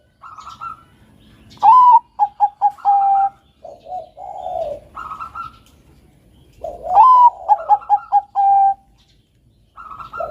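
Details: Melodious song of a Bangkok perkutut, the zebra dove, recorded as a master for training other doves: phrases repeat about every five seconds, each a rising opening note, four staccato coos and a long held coo, with soft murmurs between.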